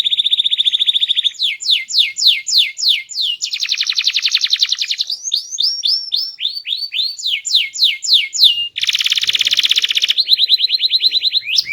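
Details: Canary, small in body but loud and sweet-voiced, pouring out a varied song of steady rolled trills alternating with rapid falling whistled sweeps and fast chattering runs, with hardly a break.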